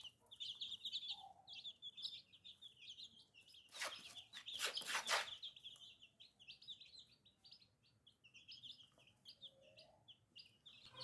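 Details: Young chicks give a steady stream of rapid, high-pitched peeps. Around the middle, a loud rustling or scraping burst briefly covers them, then the thin cheeping carries on.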